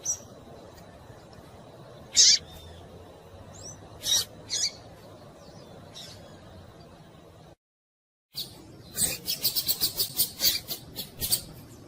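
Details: A female double-collared seedeater gives sharp, high chip notes spaced a second or two apart, then a quick run of about ten rapid high chips near the end; such female calls are played to excite males into singing.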